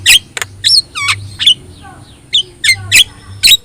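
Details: Javan myna (jalak kebo), yellow-eyed, song to coach other birds in Indonesia; sharp squawks separated by short gaps, a few descending whistled slurs and soft clicks between.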